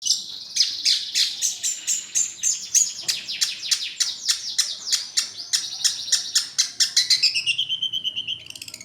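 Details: Long-tailed shrike song used as a lure for other birds: a rapid run of high, sharp, buzzy chirped notes repeated several times a second, slurring into a lower rising whistle near the end.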